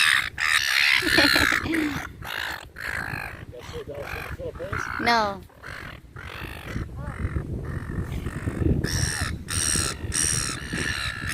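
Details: Gulls being fed in a park give harsh, squealing calls in rapid, uneven bursts, several birds calling over one another while a person talks and remarks they are not very tame.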